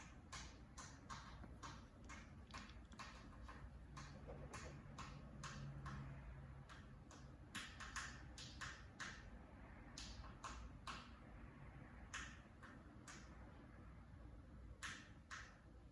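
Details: A pet cockatiel beak banging (knocking) on a fan, a run of sharp, dry knocks in quick, uneven bursts.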